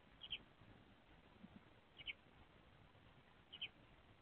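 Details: A male Eurasian tree sparrow on a nest-box porch in April 2024 gives short, bright double chirps to the female laying inside, three times about every one and a half seconds, over a low steady hum.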